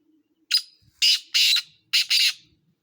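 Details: Black francolin calling: a loud, harsh series of five broadband grating notes, a single note followed by two closely paired pairs, each note about a quarter second long, over a quiet background.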